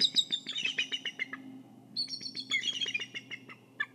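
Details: Bald eagle guarding its egg at the nest in Kisatchie National Forest, filmed on a nest cam. Two bursts of staccato, squeaky chirps descend in pitch, each note rapid and piping, with a steady low hum beneath.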